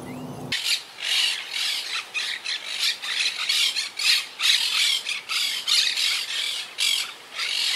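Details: Quaker parakeet colony in the wild at a yacht club, regrouping since Hurricane Irma struck in 2017, birds high in trees. An unbroken stream of rough, rasping squawks repeats roughly every half second from several parakeets.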